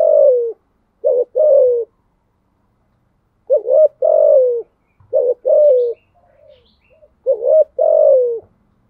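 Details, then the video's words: Spotted dove performing thúc gù cooing: several phrases of paired short notes and long descending coos separated by pauses, with brief soft murmurs in between. "Tiếng chim cu gáy bài bản THÚC GÙ"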